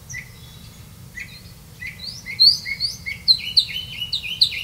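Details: Black-bellied Malkoha caring for young in the nest: thin, high squeaky chirps, sparse at first, then quicker and louder in overlapping bursts, over a steady low rumble.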